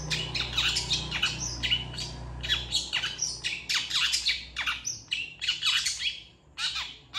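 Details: Master recording of a long-tailed shrike singing, meant to teach other birds: dense run of raspy, grating notes mixed with short sharp whistles and downward-slurred squawks, continuous for several seconds, with a low background hum early on.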